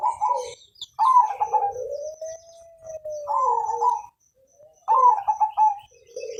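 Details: Zebra dove of Mojopahit colour, kept as a prompting bird, repeats its coo: clipped bubbling notes then a long low gliding coo, three phrases in a row.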